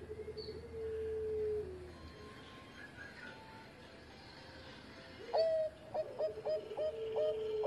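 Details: Zebra dove, a former competition champion, with engkel-style voice: a long level coo falling away, then a loud ringing note and rapid staccato coos, over noticeable background hiss.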